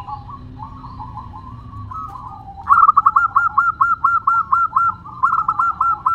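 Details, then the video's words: Local zebra dove sings fast with a crystal voice. After soft background cooing, a loud run of about a dozen evenly spaced clipped coos begins, followed by a short second phrase. "Perkutut Lokal Gacor Suara Kristal"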